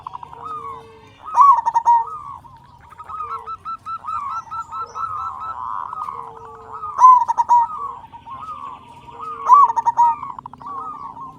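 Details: Local zebra dove with a big voice, used to lure and spur other doves into song: rolling, bubbling coo phrases with short trills and soft low notes, repeated several times about every four seconds.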